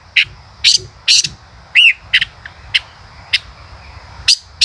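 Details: Male common rosefinch singing: a series of sharp, high chipping notes spaced irregularly, with one rising-falling whistled note near the middle, over a faint steady high hum.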